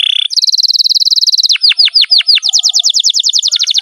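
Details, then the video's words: Canary song: a steady high buzzing trill of rapidly repeated notes, then a few slower down-swooping whistles, then another fast rattling trill. "BURUNG KENARI GACOR NGEROL PANJANG JITU"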